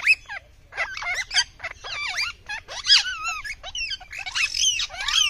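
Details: Rose-ringed parakeet, called Indian ringneck, uttering rapid grating squawks and wavering screeches in quick irregular succession, some notes bending up and down in pitch, growing denser toward the end.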